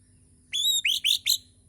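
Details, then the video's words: White-rumped shama singing in the morning: a brief phrase of four clear, high whistled notes, the first drawn out and the rest short and upslurred, over a faint low background hum. "Kicauwan murai batu di pagi hari"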